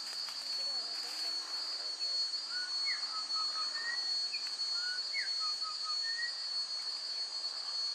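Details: Endemic Antioquia wren (Thryophilus sernai) at Bolombolo, Cauca Valley, Colombia, singing two short phrases of clear whistled notes, some level and some quickly rising, over a steady high-pitched insect drone.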